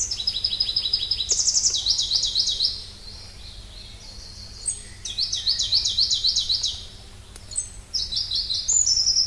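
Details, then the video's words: Pallas's leaf warbler (Phylloscopus proregulus), breeding in Siberian and Mongolian mountain forests, sings near-continuous, very high rapid trills, changing pitch from phrase to phrase, with thin whistles between bursts and a soft constant hum behind. "try to hear this Pallas's leaf warbler"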